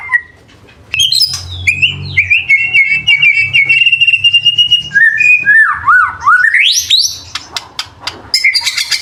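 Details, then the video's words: White-rumped shama (Murai Batu) song with isian and tembakan: a short whistle, a pause, then a steady high trill, swooping slurred whistles, and sharp clicking bursts at the end. "BURUNG MURAI BATU FULL ISIAN & TEMBAKAN"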